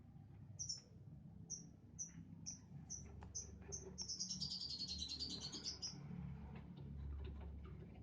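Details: Young lovebird making a quick run of thin, high, whistled peeps, about three per second, that merge into a fluttering, wavering trill before stopping, over a steady background hum.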